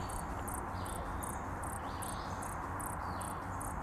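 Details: A male Ruby-throated hummingbird in courtship display, gorget spread to impress a female near a feeder, makes thin, high wing clicks about twice a second as he shuttles back and forth, over a steady low rumble.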